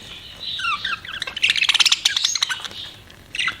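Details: Budgerigar chirping: descending squeaky notes lead into a dense, buzzy run of rapid pulsed chirps, then trailing off to a faint warble and a final short squawk.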